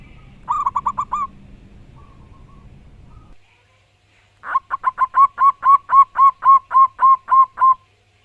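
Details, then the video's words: Zebra dove (perkutut), a local wild-type bird singing loudly and in full voice: a short burst of about six quick coos, a pause, then a long even run of about fourteen ringing coos at a steady, rapid rhythm. "Burung perkutut lokal alam gacor dor suara keras & lantang"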